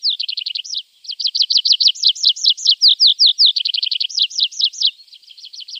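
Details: Javan bush lark singing as a tutor recording for caged birds: long run of high, rapid looping chirps with a short pause near the start, fast rhythmic phrases changing pace, and clean quiet background.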